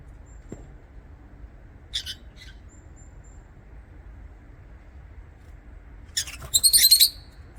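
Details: Lovebird chirping: a short high, scratchy chirp pair early on, then after a quiet stretch a dense burst of shrill, rapid chirps lasting about a second, over faint low background hum.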